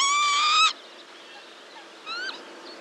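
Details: Northern lapwing pair alarm calling to young. A loud nasal note lasting about 0.7 seconds is followed by a shorter, fainter, rising call roughly 1.5 seconds later.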